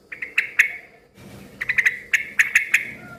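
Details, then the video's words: Lively yellow-vented bulbul calling in short groups of sharp, ringing chirps, a few notes at a time with brief gaps, against a low hum; its noisy singing is said to make other bulbuls respond. "suara kicau trucukan gacor ribut yang satu ini suka bikin burung trucuk lain ikut NYAUT BUNYI RIBUT"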